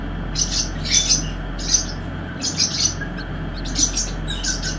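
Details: Silver pheasant chicks at hatching: high, thin peeps given in quick clustered bursts, several notes at a time with short pauses between, over a steady low hum.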